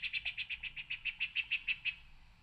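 Yellow-breasted Chat: a quick run of about thirteen clear, even notes at one high pitch, roughly seven a second, fading out over a faint low hum.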